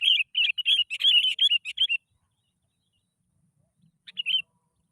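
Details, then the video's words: Sooty-headed bulbul song played as a lure so idle bulbuls start singing: a two-second rapid chattering string of bright, slurred chirps, silence, then a brief two-note phrase. "PANCINGAN BURUNG KUTILANG. Males Bunyi Auto Langsung Bersuara.."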